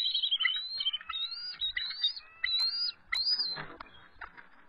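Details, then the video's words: Stressed nesting eagle pair calling during a territorial dispute with an adult intruder, evening of March 23, 2014; high, thin, drawn-out whistled notes with bright harmonics, chained into rapid chattering runs, plus faint low knocks. "Intruder Invades the Nest - Territorial Dispute"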